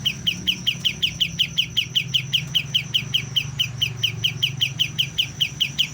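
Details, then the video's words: Young white-eye just beginning to learn its song: a sharp high chirp repeated steadily, about two or three per second, for the whole stretch, over a low steady hum. "BURUNG KAPAS TEMBAK MUDA, mulai belajar bunyi"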